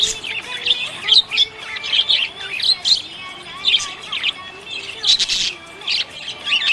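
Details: A happy budgie chirps in rapid, sharp bursts of bright twittering, louder notes popping out every half second or so over a steady chattering warble.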